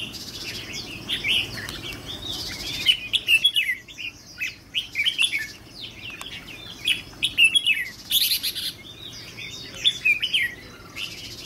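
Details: Red-whiskered bulbul being trained as a trapping decoy, described as 'fire eyelids': bursts of energetic chirping and warbling come in clusters separated by brief pauses, with some rustling noise between phrases.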